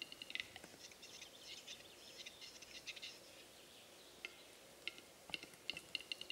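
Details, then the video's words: Western capercaillie displaying at a lek in Norway on an April 2017 morning with 11 males and 20 females present: a run of dry clicks and scratchy, grinding bursts, with thin high chirps from smaller birds. "Capercaillie displaying"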